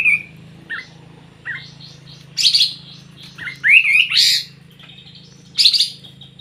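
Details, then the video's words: Vigorous 'gacor' song of a sooty-headed bulbul: short soft notes building to loud chattering bursts and a rising, bubbling phrase, then another sharp burst, over a low background hum. "Suara Burung Kapas tembak Super Gacor"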